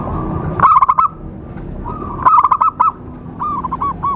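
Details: Zebra dove calling as a trapping lure: loud bursts of fast, stuttering coos about every one and a half seconds, ending in a quieter series of bouncing, rounded coo notes.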